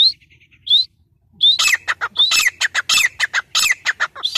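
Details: Grey francolin recorded 3 October 2020 giving loud, high, rising whistled notes that build into a rapid run of harsh, clipped shrieks, about three or four each second.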